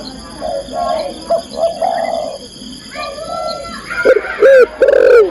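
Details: Female spotted dove calling to the male, recorded as a training track for cage birds: a soft series of mellow coos, then three loud, arching, slightly distorted coo notes near the end, over a faint steady electrical whine.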